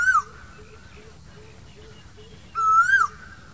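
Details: Asian koel calling in summer from green trees gives a loud, clear whistled note that rises then drops, once at the start and again about two and a half seconds later, over soft, steadily repeated low notes.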